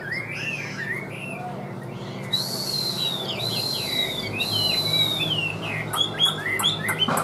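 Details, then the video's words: Chinese hwamei in a cage, singing in an even voice: long, ringing, looping whistled phrases sweep up and down, ending with sharp clipped notes and faint clicks over a soft hum. "HÓT TỐT RA GIỌNG ĐỀU"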